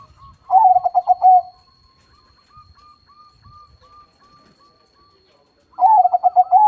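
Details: Zebra dove (perkutut crossing) in full song with a large voice. A loud rolling phrase of rapid throaty coos is followed by a string of soft, regularly spaced single coo notes. A second powerful rolling phrase closes the passage, over a faint steady high hum.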